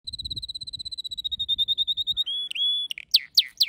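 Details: Pet canary singing: a steady run of fast, thin whistled notes at an even pitch, then a long held whistle, then several loud, sharply falling sweeps repeated about every quarter second.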